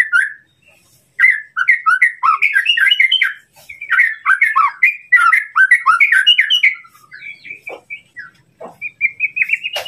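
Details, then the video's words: White-rumped shama song used as training material to provoke a rival: fast, varied whistled phrases with sharp slurred notes and chips, bursts broken by short pauses, ending in a string of clear rising whistles. "masteran murai batu untuk memancing emosi lawan"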